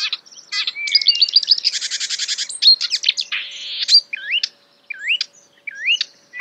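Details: Marsh warbler (Acrocephalus palustris) imitating other birds; a fast jumble of varied borrowed notes: a buzzy rattling burst, sharp chirps, then repeated rising slurred whistles about once a second.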